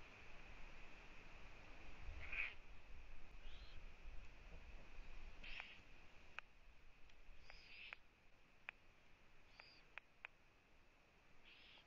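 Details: Eurasian eagle-owl at a nest in Latvia on a live nest camera, 1 June 2017 at 15:01, as the female visits her owlets. Five short hoarse hissing bursts are spread irregularly, mixed with scattered clicks and knocks over a steady electronic whine.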